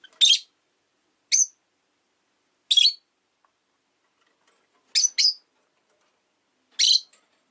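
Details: A rosy-faced lovebird chirps through a quiet afternoon, giving six sharp, shrill notes at uneven intervals, one of them doubled, with silence between.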